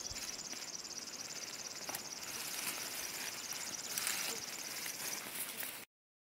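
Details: River warbler song recorded in Belarus in 2014 on a birding tour, a dry, high, insect-like buzzing of rapid pulses, steady like a sewing machine, with faint human voices behind it.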